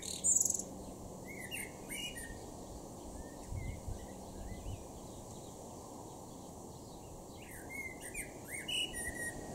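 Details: Male Common Blackbird singing in a garden in Norden, East Frisia, far northwest Germany, June 2023: several low fluted warbling phrases, each closing in a thin high twitter, spaced a second or two apart over steady background hiss.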